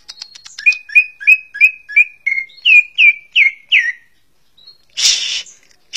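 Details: A greater green leafbird, whose varied song is famous among bird keepers, strings together roughly eleven sharp whistled notes that rise in pitch midway, then ends with a high thin note and a harsh broadband rasp.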